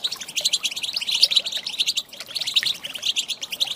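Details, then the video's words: European goldfinch female giving stirring calls to prompt males to sing, a busy stream of sharp, high chirps and liquid twitters in two rapid flurries split by a short lull. "Saka Huylandırma Sesi"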